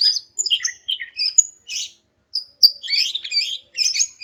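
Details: Greater green leafbird female call to trigger silent males: high clear whistled notes and short slurred chirps in two lively bursts separated by a brief pause.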